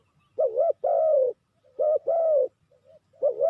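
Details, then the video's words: ['Decoy spotted dove calling for trapping: a wavering low coo then a longer falling coo, repeated twice in about three seconds, another phrase beginning at the end.'] "Sound Of Spotted Dove is so good"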